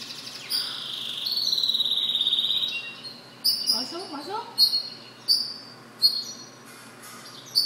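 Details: A goldfinch mule sings a rapid, evenly pulsed high trill, then a series of separate sharp, high chirps spaced about half a second to a second apart.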